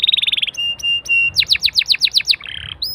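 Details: Lure song of a canary meant to get other canaries singing: a quick buzzy trill, three flat whistled notes, then a series of high descending sweeps about ten a second, ending in a scratchy phrase.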